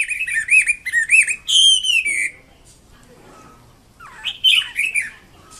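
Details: Red-billed blue magpie of the ornamental wambi kembang mandarin type in full song: loud, rich whistled notes sliding up and down in quick repeated phrases, a pause of nearly two seconds, then more slurred whistles.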